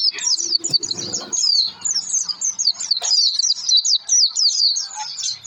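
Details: Oriental white-eye lure song to get birds singing: rapid high twittering delivered in a steady rush, short notes sweeping up and down, with a soft low murmur briefly early on.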